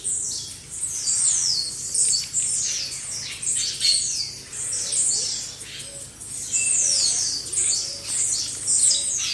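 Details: A chorus of blue-black grassquits, recorded for training caged birds: dense, continuous high buzzy slurred notes that dip and rise, with faint low tonal notes scattered through.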